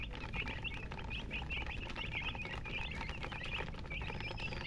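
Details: Chickens chirping with a hen nearby: a rapid stream of high, quivering peeps, closely spaced and unbroken, over a steady low rumbling background.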